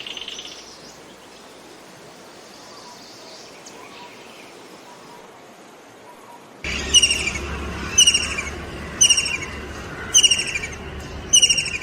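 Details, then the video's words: A kingfisher gives sharp, high, rattling call bursts about once a second after a quiet start, over a steady low background hum. "Listen To The Enchanting Call Of The Kingfisher Bird!"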